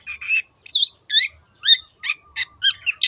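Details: Cendet, or long-tailed shrike, in 'teot teot' song used to prompt other birds to sing: separate loud notes about every third of a second, whistled swoops and rasping chirps, high-pitched and clear.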